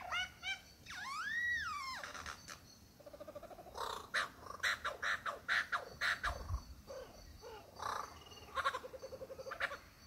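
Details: Courting male superb lyrebird in the Dandenongs singing his varied repertoire of songs and sounds for a female: a rising-then-falling whistled arc, rapid chattering bursts and a string of sharp, loud notes in quick succession.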